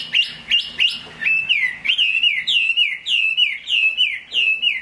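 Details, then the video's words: During rain a Chinese hwamei opens with three sharp notes, then sings a chain of looping whistles that dip and rise, repeated roughly twice a second. "Họa mi hót trong mưa"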